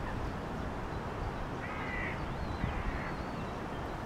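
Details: Eurasian coot feeding its chicks gives two short, nasal, slightly wavering calls about a second apart, over a steady low rumble of wind or water.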